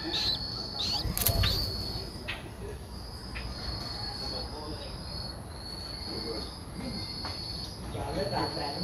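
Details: Streak-eared bulbul nestling, 11 days old, in Ubon Ratchathani, Thailand, on 13 April 2023, giving thin, high, drawn-out notes about once a second over a steady insect hum, low rumbling noise and a brief knock.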